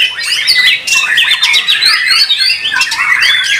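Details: Caged white-rumped shama (murai batu) competing at a songbird contest, praised for song rhythm, power and long singing stamina; a fast run of varied whistled and chattering phrases, with other competing birds singing densely behind.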